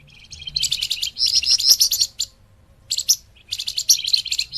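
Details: Lure song of the scarlet minivet, used to trap birds: a dense, fast run of high chirps lasting over a second, a pause, then a further quick burst of sharp tweets.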